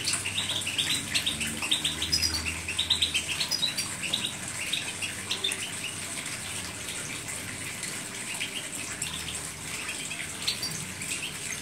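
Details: European goldfinch giving quick, bright, tinkling chirps in scattered bursts, densest in the first few seconds, with a constant water-like hiss underneath.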